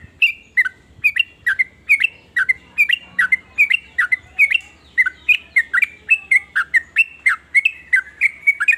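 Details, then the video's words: Sooty-headed bulbul with a varied song said to make rival bulbuls join in; nearly nine seconds of rhythmic, gurgling notes alternating up and down at a brisk pace. "ber macam" suara trucukan ini bikin trucuk lain iri jadi langsung ikut bunyi"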